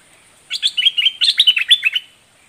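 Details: Red-whiskered bulbul singing dok taeng style: one continuous one-and-a-half-second phrase of about a dozen bright, bubbling, down-slurred whistles, loud and clear.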